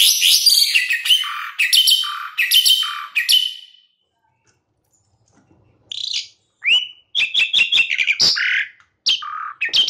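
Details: Asian pied starling, used as a training sound for caged starlings: a dense burst of harsh chattering, a stretch of silence, then sharp separate whistled notes with upward slurs.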